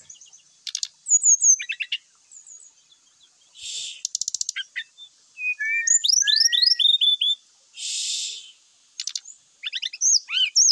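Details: Brown-chested jungle flycatcher song used to lure and provoke rival birds: high slurred whistles, two harsh hissing bursts with rattling clicks, and a long run of rising sweeps and lower falling notes.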